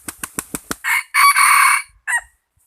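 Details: A rooster lets out a loud crow after five quick sharp wing-beat claps, with a short first note, a long steady harmonic middle and a brief dropping final note, then quiet.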